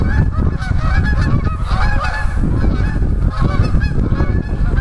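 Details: Wild Canada geese taking flight from the Allegheny River near West Hickory, Pennsylvania: loud, overlapping nasal honks from several birds, with heavy low rumbling from splashing water and wingbeats throughout.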